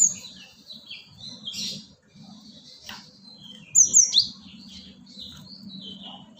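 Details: Lure sound of the cinereous tit, locally gelatik batu: scattered high chirps and trills, then a loud pair of sharp, very high descending notes near four seconds, a constant low hum underneath.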